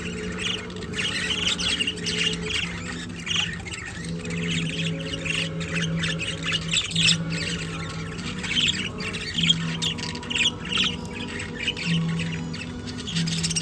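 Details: Several budgerigars, with an apple to eat, chatter continuously with quick, scratchy squawks and warbles over a steady low hum.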